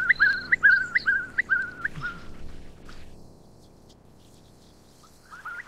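Eastern curlew giving a rapid run of five or six clear whistled notes, each flicking upward at the end, then a quiet pause before a brief second burst.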